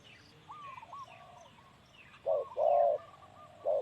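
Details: Male spotted dove giving deep, hollow coos, a short pair then a long drawn note and a final coo in the last two seconds, after quieter rising whistles from other birds in the background.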